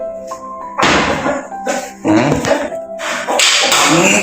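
Music plays with loud thuds, knocks and crashing sounds and brief speech, with no animal voice heard.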